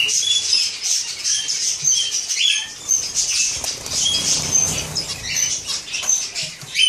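Zebra finches chatter with quick, high, nasal chirps and short whistled notes, overlapping almost constantly.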